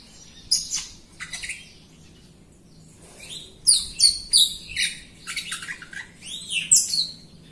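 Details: Singing Jalak Rio myna used as a training model for other birds, delivering a busy, varied run of sharp chirps, rising whistles and scratchy notes in clustered bursts, with a quiet pause midway before the phrases resume more densely.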